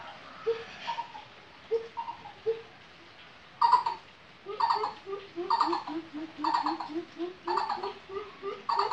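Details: Coucal from Lombok, calling persistently; a few deep, soft hoots, then a fast run of low, falling hooting notes about twice a second, overlaid by louder, harsher bursts roughly every second.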